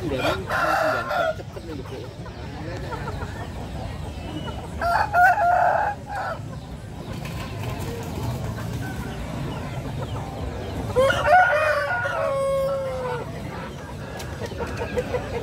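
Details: Bangkok and mangon roosters at Tretes, East Java, crow in a few harsh, drawn-out bursts over a steady background murmur of noise.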